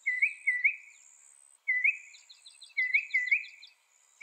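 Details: Mockingbird song in short bursts: paired rising slurred whistles separated by pauses, with a soft run of quick high chips between them and a faint thin high tone in the background.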